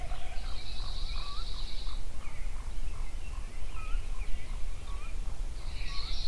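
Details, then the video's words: Songbirds greet the sunrise at Yellowstone: a high buzzy trill opens and closes the passage, and short hooked whistles repeat roughly every second between them, with a steady low rumble throughout. "Sunrise Songbirds at Yellowstone"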